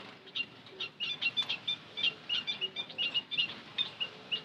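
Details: White-headed munia lure call: a rapid stream of short, high, thin chirps and tweets, several per second, at times overlapping as if from more than one bird, over light background hiss.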